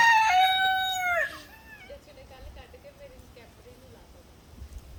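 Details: Chicken giving a loud, rich crow with arched harmonics that lasts just over a second and drops off at the end, followed by soft, quick clucking notes against a quiet background.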